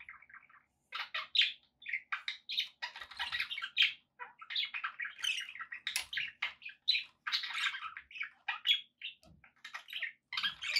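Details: Steady budgerigar chatter: busy, scratchy warbles mixed with sharp squawks and high chirps, nearly unbroken, with a few short gaps.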